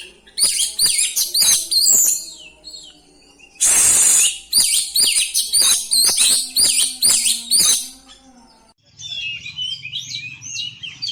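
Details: Oriental magpie-robin (kacer) rolling song with fill-in phrases to boost other kacer: a steady series of loud sharp whistled notes, about two to three per second, broken by a long harsh rasp, ending softer with low hum.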